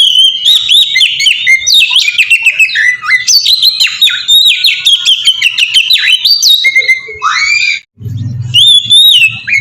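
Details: Oriental magpie-robin singing, played as a lure to get other magpie-robins singing; rich run of whistles, buzzy slurs and quick imitative twitters, a brief gap near the end, then a low rumble and clear rising whistles.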